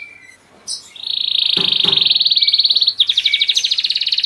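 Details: Spanish Giboso canary, purebred and kept in cages, gives a brief note, then a long, level, buzzy rolled trill of very fast pulses, breaking into a coarser, choppier trill, with two faint knocks.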